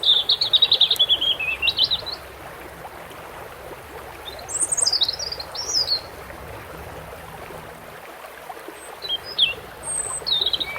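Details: European robin singing over running water: high thin warbled phrases with trills and slides, a sweeping phrase at the start, then brief bursts after pauses, with steady stream noise throughout.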